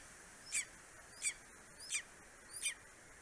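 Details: Greater spotted eagle in Estonia, a male bringing vole and bird prey to its four-week-old eaglet at the nest, 9:02 in the morning on 2 July 2020; four short, high, squeaky calls about every 0.7 seconds over a steady background hiss.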